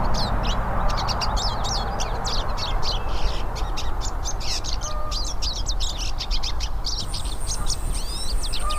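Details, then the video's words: Hooded siskins, several together in nature, keep up fast, high scratchy twittering throughout, joined near the end by a long thin high whistle, with a low steady rumble beneath. "VÁRIAS PINTASSILGO CANTANDO NA NATUREZA"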